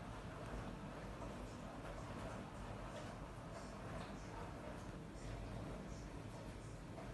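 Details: Faint hissing background noise with muffled distant murmur.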